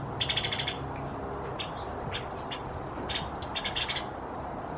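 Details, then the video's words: Nuttall's woodpecker in spring just before dusk, seeking or drawing attention, gives a quick, dry rattle of high notes, then scattered sharp pits and short rattles over a steady rushing background. "Nuttall's Woodpecker springtime vocalization"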